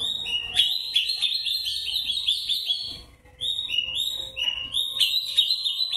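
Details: Kacer dada putih, the white-breasted Oriental magpie-robin, singing ngobra-style fighting song: dense run of loud repeated whistled notes, a short pause near the middle, then rising slurred whistles and sharp high chips.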